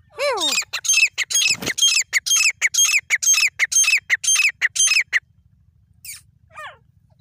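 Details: Grey francolin in jungle: a descending slurred opening note, then a fast run of loud harsh grating syllables for about four seconds, followed by two fainter downslurred notes.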